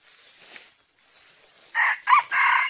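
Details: Decoy-hunting recording of a red junglefowl: low hiss and rustle, then a strong, grating crow of three segments, the second short and kinked, the last drawn out and rough.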